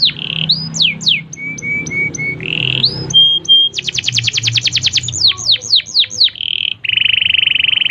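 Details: Canary song for tutoring young birds: swooping whistles, a steady high tone, a fast rattling trill, falling slurred notes and a final buzzy sustained trill, with faint low background hum.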